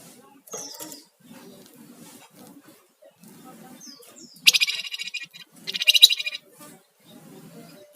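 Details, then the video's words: Sunda warbler song used as a lure and tutor recording for songbirds: two loud, rapid, buzzy rattles about a second apart, with soft chirps and background voices. "Flamboyan gacor Ngebren dan nyiul"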